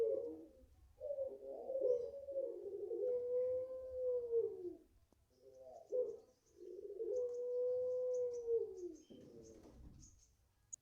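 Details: Five-month-old puter pelung, a Barbary dove bred in a home garden in Indonesia, giving its long cooing: two drawn-out phrases, each a rough opening coo and then a smooth sustained mellow tone, with a faint ticking in the background.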